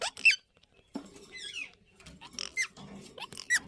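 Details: Indian ringneck parakeets at a breeding site make high, thin squeaks and a brief descending warble, with soft scratchy rustling between calls.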